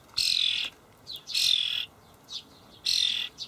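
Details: Starling fledglings being fed by adults at a Hamburg allotment garden, 28 May 2012: three long, buzzy, grating screeches roughly 1.3 seconds apart, with quieter short squeaks between them.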